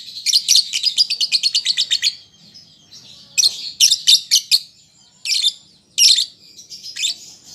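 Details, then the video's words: Juvenile lovebird learning its song, played to coax replies: an opening run of about fourteen evenly spaced, buzzy high chirps, a pause, then a shorter burst and a few loud single squeaks. "Pancingan Lovebird Paud Belajar Bunyi Ampuh Langsung Nyaut"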